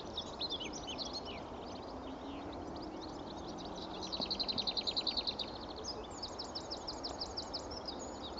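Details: Lesser whitethroat at Pegwell, morning of 24 April 2015, among a light scattering of birds there. Scratchy chattering and other bird notes come first, then a fast dry rattle of repeated high notes, then more trilled calls, against steady hiss.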